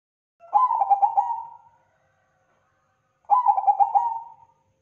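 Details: Perkutut bangkok crossing, a zebra dove, singing actively for a tutor recording: mellow cooing phrases, each a stuttering burst of throbbing notes that fades into a long even tone, repeated after a pause of nearly two seconds, quiet surroundings.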